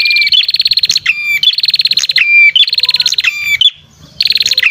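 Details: Red-headed prinia lure call, used to attract birds: fast buzzy trills of evenly pulsed high notes, each ending in a short down-slurred whistle, repeated in quick bursts with brief pauses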